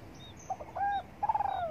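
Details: Spotted dove cooing while sunbathing in the morning: a short soft lead-in note, then a smooth low hooting coo, then a rapidly pulsed, slightly throbbing coo that slides downward at the end.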